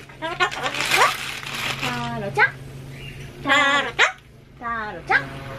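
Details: A Solomons cockatoo, annoyed by renovation noise louder than itself, repeatedly calls out a short spoken word (apparently "konnichiwa") in a harsh, nasal parrot voice. Several bursts with pauses, over a steady low hum of construction noise.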